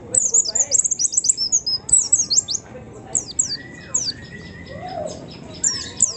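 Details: White-eye singing as a lure to provoke other birds: dense, rapid, very high twittering phrases, with some lower drawn-out whistles from other birds in between.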